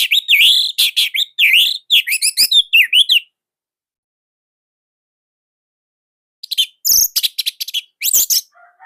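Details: Orange-headed thrush singing its loud, tight and unusual song in Indonesia. A fast stream of whistled, wavering notes mixed with sharp ticks runs for about three seconds. Three seconds of silence follow, then shorter bursts of high chirps.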